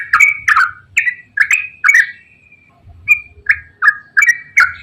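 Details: Loud 'ropel panjang' song of a straw-headed bulbul, a lure for bulbuls slow to sing: a burst of gurgling, bubbly whistles, a one-second pause, then more spaced, ringing phrases over faint low noise.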